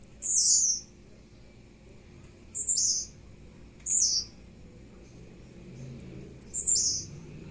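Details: Young captive-bred blue-black grassquit in morning song: four high, buzzy, downward-sweeping phrases spaced roughly every one and a half to two seconds, with a low background hum.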